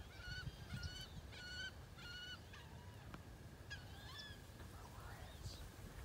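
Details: Wood ducks recorded in 2018: four loud, squealing whistled notes in quick succession, each slightly falling, then a pause and softer rising, slurred whistles over a steady low rumble.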